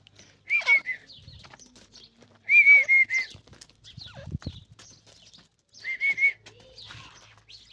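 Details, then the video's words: Grey francolin giving clear whistled calls, each a steady level note ending in a falling tail, in three widely spaced bursts over several seconds, with faint rustling and a low thump between calls. "teetar ke awaz❤❤ irani teetar ke voice❤❤ dakhni teetar ke boli"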